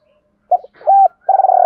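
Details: Spotted dove cooing, used to stimulate other doves to coo: a short series of loud, low, hollow coo notes, the last one long and sustained, after a moment of silence.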